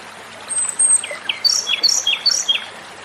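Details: Japanese robin (komadori) singing: thin high whistles, then a few short notes dropping in pitch, followed by quick paired high chirps repeated about twice a second over a quiet background.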